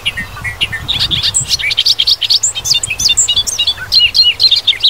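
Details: Wisconsin grassland Bobolink delivering a continuous bubbling, gurgling song of quick tumbling high notes that jump up and down in pitch throughout, with faint low rumble beneath.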